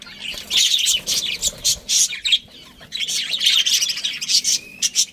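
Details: Budgerigar colony with a breeding pair: noisy overlapping chatter of sharp squeaks and buzzy warbles, a brief lull mid-way, then sustained chirping with a thin whistle.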